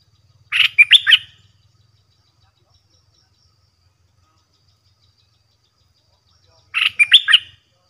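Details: Red-whiskered bulbul in a cage, singing continuously in a contest with fearless wild birds. Two quick phrases of chopped, bright whistles about six seconds apart. A faint low hum sounds under the first phrase.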